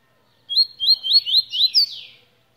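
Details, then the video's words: {'caption': 'Tui song made of about five crisp upslurred whistles in even succession, closing with a buzzy rising-and-falling flourish.'} "tui tui de luxo"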